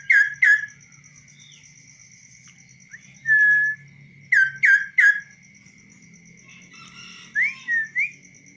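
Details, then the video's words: Tame, hand-trained kaso-kaso bird singing on a person's hand outside any cage: bursts of sharp downslurred whistles in pairs, separated by quiet gaps, later a longer note and rising, looping whistles, over a steady faint background tone. "BURUNG KASO KASO GACOR DI TANGAN TANPA SANGKAR"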